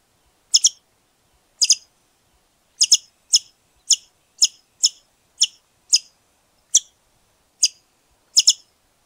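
Great Rufous Woodcreeper giving a series of about a dozen sharp, high, doubled chirps, spaced roughly every half second to second, in a quiet background.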